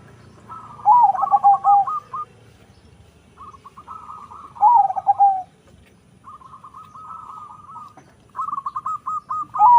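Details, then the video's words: Crossbred zebra dove, local Javanese bloodline crossed with Bangkok stock and bred for a big voice, giving three phrases of rolling cooing notes, each a stuttering series ending in a trill, about every four seconds, over low background noise. "PERKUTUT CROSING PERPADUAN LOKAL BANGKOK SUARA SUPER BESAR."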